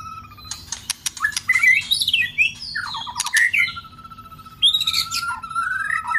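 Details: White-rumped shama song meant to excite listless shamas into singing: sharp clicks and tumbling whistled phrases, then a long, steady, clear whistle that slurs upward at the end.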